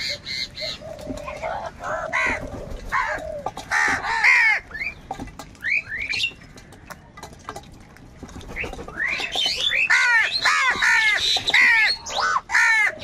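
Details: Many crows crowing and crying while competing for food: scattered hoarse calls early on, a quieter middle stretch with clicks, then a burst of rapid, overlapping, down-curving caws in the final few seconds.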